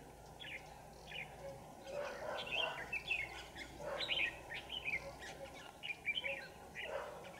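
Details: Red-whiskered bulbul used as a decoy during trapping on 27 November 2018, singing to provoke wild birds into fighting. Short warbled, slurred phrases repeat at irregular intervals over steady low background noise.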